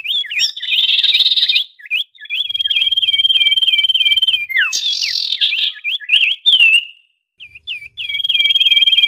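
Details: Trapping lure of noisy common iora calling. Buzzy chatter mixes with rapid hooked chirps and level high trills, then comes a harsh rasping burst, scattered curled notes, a short pause and a resumed high trill.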